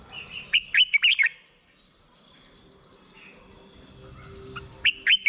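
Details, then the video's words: Red-whiskered bulbul song played to stir caged birds or lure others: a short burst of clear bouncing whistles, a long pause with faint background hiss, then another phrase beginning. "เสียงนกกรงหัวจุก สำหรับต่อ หรือ เปิดให้นกคึก เสียงเพราะๆ"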